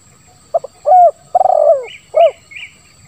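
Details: Spotted dove cooing in the 'lambung kuk 1' style with a 'ngeruk' voice, used as a lure to get silent doves calling: short soft notes, a smooth coo, then a longer rolling, falling coo and a final coo, with faint high chirps behind.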